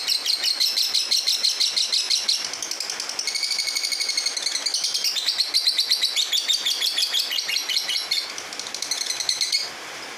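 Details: Fighter-type lovebird in full gacor song: a long, fast run of piercing, high-pitched chirps and trills, about three per second, sustained for ten seconds with little pause.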